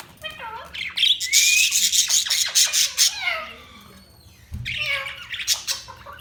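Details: Budgerigar chirping in two bursts: loud harsh squawks and scratchy warbles with descending whistled slurs for about three seconds, a pause with soft chatter, then another burst of squawky chirps.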